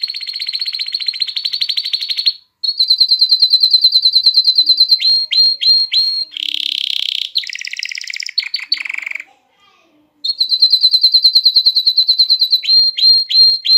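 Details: Canary song aimed at rousing hens to mate and prompting young birds to sing; sustained rapid high trills, repeated down-slurred notes, a harsh buzzy passage, a pause, then the fast trill resumes.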